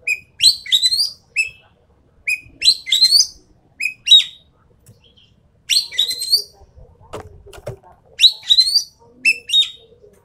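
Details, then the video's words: Sumatran treepie, endemic to Sumatra, on a lure and training recording: a steady run of whistled notes, each tied to a buzzy, rising rasp, repeating roughly every one to two seconds over ten seconds, with a brief low knock midway. "MASTERAN/PANCINGAN BURUNG EKEK KELING SUMATERA"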